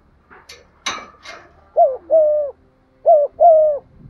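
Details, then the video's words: Cooing spotted dove used as a lure to excite wild doves: a few scuffling, clicking noises open the recording, then two clear phrases of two quick hollow notes and a drawn-out coo, about a second apart. "tiếng cu gáy gù và thúc giọng son anh em mở nên kích bổi thì rất hiêu quả"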